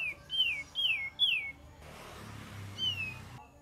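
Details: Cream-vented bulbul singing as a lure: three clear whistled notes slurring downward in quick succession, a short noisy gap, then a single falling whistle.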